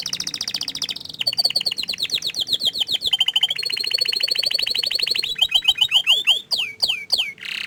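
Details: Canary that hides its face, singing an extended medley of rapid trills in changing tempos and pitches, ending with several loud descending sweeps.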